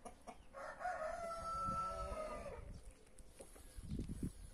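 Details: Free-range rooster crowing in a back yard, one of several breeds kept together such as brahma, marans, naked neck and white star; a long harmonic crow held about two seconds, then low thumps and clucking.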